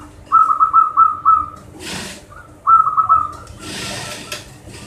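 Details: Local zebra dove singing as a stimulus for birds that seldom sing: two bubbly cooing phrases of several quick rolled notes each, separated by bursts of rustling noise, with a steady low hum beneath.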